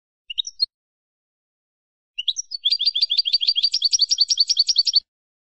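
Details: Goldfinch in the Malaga classic ancestral singing style, for tutoring young birds: a short chirp group, a pause, then a long rapid trill of about thirty sharp notes that grows louder and brighter.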